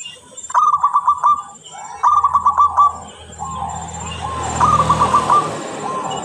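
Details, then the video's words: A local zebra dove, a clear, vocal singer used as a lure bird, gives three soft, rapid trilled coos, each a stuttering run of notes ending in a higher phrase, over a low background rumble. "Perkutut lokal gacor sangat jernih"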